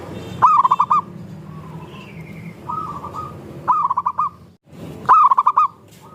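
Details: Local zebra dove song as a lure to get other doves singing: several phrases of rapid, bubbling coos, one softer and farther off, with a brief thin, high, slurred note and continuous quiet cooing behind.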